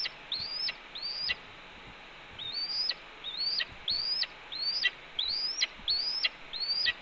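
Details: Red-tailed hawk at the Cornell nest, 28 April 2013 morning, persistently scolding as its mate arrives with a branch; about ten thin rising-then-plunging whistles in quick succession, growing louder toward the end.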